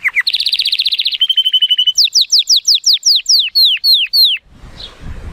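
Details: Male Timbrado Español canary (83 points, hatched 2018) singing strongly in sunshine: a short low roll, a bright fast trill, a metallic run and a series of loud descending whistles before faint background.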